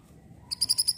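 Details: Pied triller (mantenan) lure sound for provoking an answer, a brief series of four crisp, high chirps evenly spaced after a moment of quiet.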